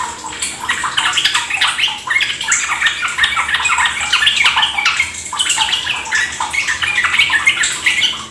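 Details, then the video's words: Trucuk (sooty-headed bulbul) lure song to make caged birds sing ropel. Rapid, overlapping bubbly chatter rises and falls in loose bursts above a steady watery hiss. "Pancingan trucukan agar ikut ropel gacor"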